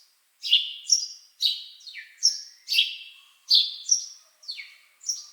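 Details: Sharp, high bird chirps follow a brief silence, coming in quick pairs of falling notes with a bright, clear tone and no background noise.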